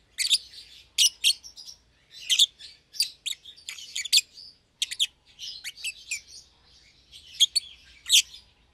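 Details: Young caged lovebirds, euwing green opaline and red-eyed albino, that bonded by feeding each other; rapid, lively shrill chirps and chatter running almost continuously, with louder sharp peaks throughout.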